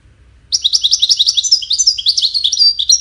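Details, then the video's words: Goldfinch singing, described as melodious cascading musical notes used in courtship and communication: a fast, dense twitter of high tinkling notes and short buzzy trills running continuously for about two and a half seconds, with a quiet low hum underneath. "Witness the Majestic Goldfinch Singing"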